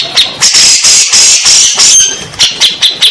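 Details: {'caption': 'Grey-cheeked bulbul recording meant to coax stressed birds into singing: a steady series of loud, buzzy high notes pulsing several times a second with little pause between them.'}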